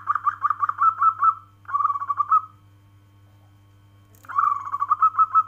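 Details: Local zebra dove, kept as a cage bird, giving rapid rippling trilled coos in repeated phrases, a quiet gap, then another bubbling run of soft cooing notes.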